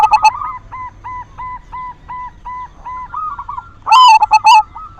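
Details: Silver zebra dove lure song, played to stimulate doves to sing. A brief stuttered coo opens, then a string of soft, evenly spaced coos, then a loud, broken, ringing coo phrase near the end.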